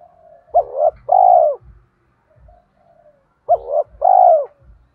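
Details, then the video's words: Two song phrases from a spotted dove decoy in the thổ voice, meant to provoke wild doves: a quick doubled coo flowing into a long, even, low coo, with faint muffled knocks. "Chim Cu Mồi Hót Hay, chim cu gáy kích bổi nhạy gáy"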